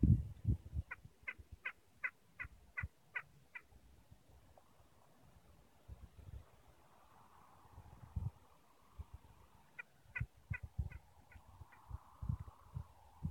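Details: A courting pair of Spanish imperial eagles at Soto de Viñuelas, Tres Cantos, Madrid, recorded on a phone, give two quick bursts of short, hoarse barking notes, about eight then six, over low rumbling wind.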